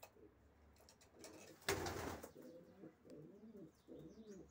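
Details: Racing pigeons with a loud rustling or flapping burst early on, followed by soft, low rolling coos and faint higher chirps.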